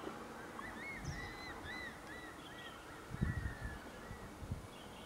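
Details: One of three crested serpent eagles soaring in the sky at Zhushan on 1 March 2012 gives a series of clear, down-slurred whistles in quick succession, then a softer second run, over steady wind rumble.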